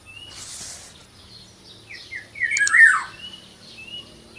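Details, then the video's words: Small local black-naped oriole: a short burst of noise, then a few rising notes and a loud, harsh, falling squawk, with thin whistled notes before and after. "suara burung kepodang lokal mungil"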